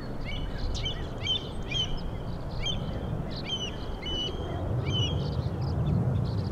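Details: Killdeer recorded on 26 May 2012 with a Panasonic GH2 camera outdoors: a string of short, sharp, hooked high notes repeated about every half second, over steady low wind rumble and faint chirps from other birds.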